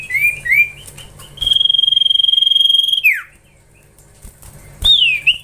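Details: Common iora (cipoh) sound linked to training young ioras: two short whistled slurs, a long level high whistle held for about one and a half seconds that drops sharply at the end, then a curved whistle.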